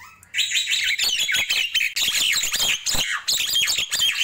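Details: Morning chatter of a Nias hill myna, continuous quick harsh notes mixed with twisting whistled phrases, loud and steady throughout.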